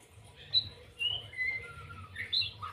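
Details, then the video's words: White-rumped shama, 'lepas trotol' singing: sparse, separate clear whistles, some high and sharp, one long falling slur, spaced about half a second apart over a low background hum. "murai batu lepas trotol"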